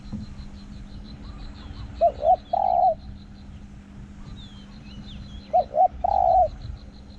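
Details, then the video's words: Spotted dove used as a decoy for luring doves, its voice described as small with a ringing 'hong, ku-kong'. Two cooing phrases sound, each two short rising hoots then a longer drawn-out coo, with faint high chirps from small birds behind. "ต่อนกเขาใหญ่ | เสียงเล็ก หอง คูก้อง สนั่นป่า"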